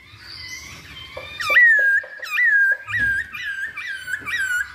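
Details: Masked laughingthrush song played as a lure to make birds sing: loud, clear slurred whistles, each swooping up then levelling, repeated about five times in quick succession over a faint room hum.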